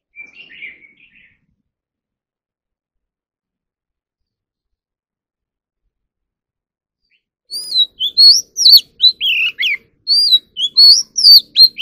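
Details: Oriental magpie-robin in competitive song training: a brief low chatter, then about six seconds of silence. After that comes a loud burst of rapid, varied whistles, rising and falling slurs packed closely together.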